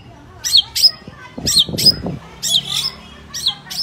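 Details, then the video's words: Energetic long-tailed shrike song made of sharp, high chattering notes in small bursts about once a second. A brief low thumping or rustling noise is heard partway through. "cendet gacor"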